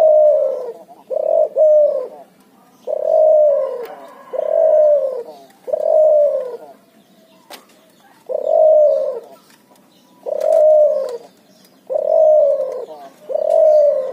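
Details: Hybrid of spotted dove and zebra dove, a cross between puter and tekukur, giving repeated low cooing phrases, each about a second long and slightly descending, in a steady series with short pauses between them.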